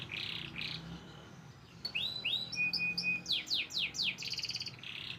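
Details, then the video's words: White crested canary in song, giving buzzy rolls, a run of upswept whistled notes with a level tone beneath, then loud descending sweeps and a fast trill. "white crusted canary nice singing"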